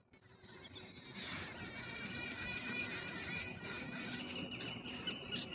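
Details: Indian peafowl at a campus in Neemrana, Rajasthan: a loud, drawn-out, harmonic wailing call held for several seconds, over small-bird chirps and a low background rumble.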